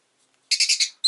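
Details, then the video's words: A pet rosy-faced lovebird (Agapornis roseicollis) gives four quick, harsh, high chirps in half a second, then a brief sharp note after a pause, with possible town noise of cars and motorbikes. "Lovebird Chirping Sounds"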